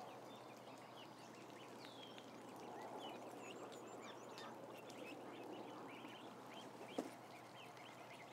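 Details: A huge brood of ducklings, about a thousand together, keeps up scattered thin peeping chirps above a constant low rustling hum, with one sharp louder click near the end.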